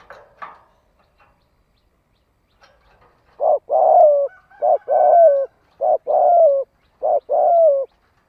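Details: Captive decoy spotted dove giving a thổ đồng style coo to lure wild doves: after faint scattered notes, three low cooing phrases, each a short note then a longer falling hoot, repeated about every 1.2 seconds.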